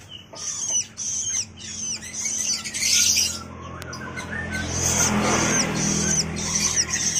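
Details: A young long-tailed shrike calling in the morning. Shrill, raspy bursts come in quick succession at the start and again at the end. A rustling, broadband scraping noise fills the middle.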